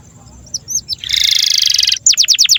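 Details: Canary master song for training young canaries to sing: a few faint high notes, then a dense buzzy rolling trill for about a second, followed by loud fast descending whistled notes repeated in a quick series.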